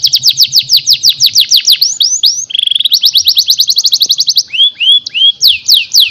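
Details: Canary tutor song played daily to train young canaries: rapid bursts of high descending chirps, a fast buzzy roll, then a steady even trill and slower slurred whistles, with a faint low hum beneath.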